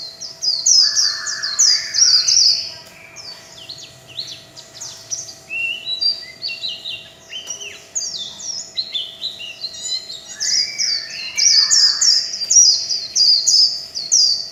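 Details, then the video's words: Líu chòe song from a kept warbling white-eye: long, loud bursts of very high, rapid twittering whistles with some lower slurred phrases, pausing briefly and resuming, over a faint low hum. "Tiếng chim vành khuyên líu chòe"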